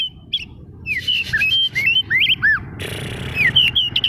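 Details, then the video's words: Oriental magpie-robin (kacer daput) singing as a lure to stir other magpie-robins: varied slurred whistles and arched notes, then a harsh buzzy rattle under sweet whistles, faint low noise beneath. "Pemanasan awal pancingan kacer gacor ngotot memancing kacer diam langsung on jadi emosi nyaut!"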